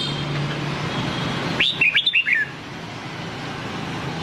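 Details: Nam Đông style red-whiskered bulbul song for training white-cheeked bulbuls: one clear run of five quick bright whistled notes falling in pitch, surrounded by quiet background hum.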